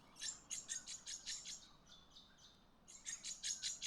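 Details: Double-eyed Fig-Parrot heard but unseen in a garden around Cairns, Queensland, Australia: rapid, high-pitched, sharp lorikeet-like notes in two bursts with a short pause between them.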